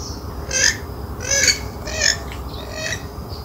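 A Western swamphen gives four harsh, nasal squawks about every 0.7 seconds, each with a hoarse, honking edge. Low background hiss underneath.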